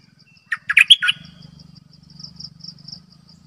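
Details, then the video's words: Quick bubbling phrase of about five liquid notes from a bulbul used as a decoy bird, followed by soft faint notes and a low steady hum. "Suara burung merbah lekir"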